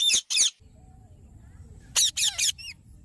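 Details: Indian parrot giving two harsh, high squawks back to back, then after a quiet pause a faster burst of three rasping screeches and a short squeak, with a faint low hum underneath.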